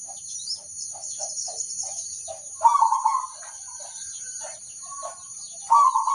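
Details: Local zebra dove singing as a lure for other zebra doves. Scattered short soft notes lead into a brief rolling trilled phrase, then another trill after a gap. A steady high hiss runs in the background.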